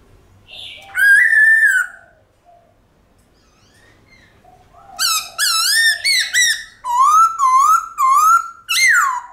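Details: White-cheeked laughingthrush in long, ringing forest-style song: one drawn whistle, a pause, then a rapid run of wavering, looping whistled notes, some dipping and rising.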